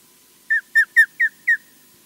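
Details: Osprey calling from a camera-watched nest at Loch Garten, Scotland: a series of five sharp, clear whistled notes, each slightly falling, spaced about a quarter second apart, against a quiet background.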